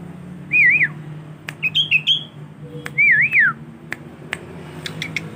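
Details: Kept young male sooty-headed bulbul practising song: two loud wavering whistles about two seconds apart, with short chirpy notes between them, over a faint low hum and a few clicks.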